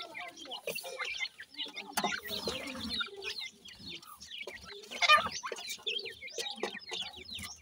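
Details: Several grey francolin chicks, called dakhni teetar, cheeping in a steady stream of brief high chirps and clucks, mixed with clicks, taps and rustling movement.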